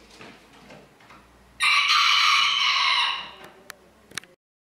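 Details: Crowing contest at Villers-la-Ville, 2022: a rooster gives one loud, full crow of about one and a half seconds over a low hum, followed by a few faint clicks.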